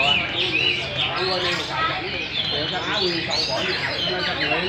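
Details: Chinese hwamei (Garrulax canorus) song from mature wild-caught birds performing at a singing competition: loud, rich whistled phrases, rapid and varied, overlapping with other birds and a steady murmur of human voices.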